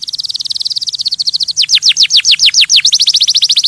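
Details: Canary singing to stimulate other birds: a fast trill of high repeated notes, then a run of louder down-sweeping slurred notes repeated about three times a second, returning to rapid high trilling.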